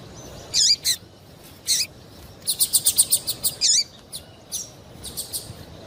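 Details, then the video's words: Calls of a female double-collared seedeater, used to make a male eager to sing; hooked down-slurred notes frame a fast run of about eight bright, high chirps, then softer trailing chips. "MELHOR PIADO DE FÊMEA PARA DEIXAR SEU PAPA-CAPIM DOIDO PARA CANTAR LOGO!"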